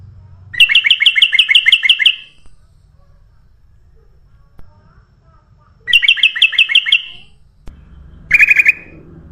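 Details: Sooty-headed bulbul call for luring birds: rapid, evenly spaced bursts of about eight harsh double-toned chips, repeated after a long pause, ending with one buzzy note.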